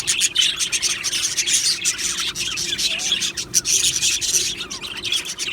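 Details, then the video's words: Australian budgie birds in a colony aviary, constant loud scratchy chattering and rapid high chirps from many birds at once, with brief dips and a faint hum. "Australian Budgie birds Chirping Sounds"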